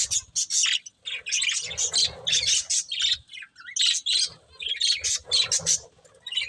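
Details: Breeding pair of budgerigars making rapid scratchy chirps and squawky high notes in repeated short bursts, with soft low rustling sounds.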